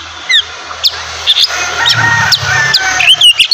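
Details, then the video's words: Oriental magpie-robin song in ngeplong style at morning: scattered bright whistles and chirps over a rich layered phrase, with a steady low hum running underneath throughout. "terapi pagi cocok buat mancing emosi dan birahi kacer supaya cepat gacor dan bukor"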